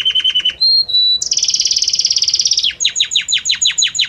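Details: Loud, close Belgian canary song: a rapid low trill, two clear level whistles, a bright fast rolling trill, then a series of quick descending chirps about five per second, notes blending smoothly into one another.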